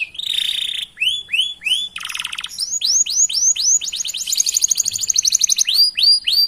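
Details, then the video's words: Canary singing as a master recording to prompt other canaries: a buzzy steady note, a series of rising-falling whistled swoops, a harsh rattle, then accelerating repeated slurred notes building into a fast trill. "Masteran Suara Burung Kenari Gacor Panjang Cuit - Cuit Ngerol || Cocok Untuk Memancing Kenari Lain"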